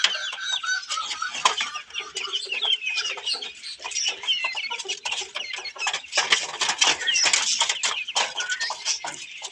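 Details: Australorp chickens searching a person's hand for food, a dense run of clucking and sharp high chirps with bursts of louder chatter near the end.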